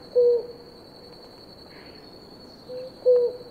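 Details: Pair of blue ground doves drinking water; two short, low, hollow hoots about three seconds apart, each slightly falling at the end, over a steady faint high whine.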